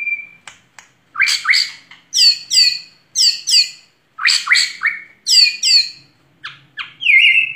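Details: White-rumped shama singing vigorously in a clean recording: loud, rich, upward-sweeping notes in paired bursts repeated about once a second, closing on a long whistle.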